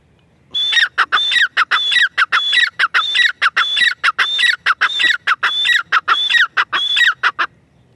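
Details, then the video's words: Grey francolin, known locally as teetar, calling loudly in a fast steady series of harsh, ringing notes, each rising then falling, repeated about every half second in long runs. "Teetar ki boli | teetar sound | teetar voice | teetar ki awaaz"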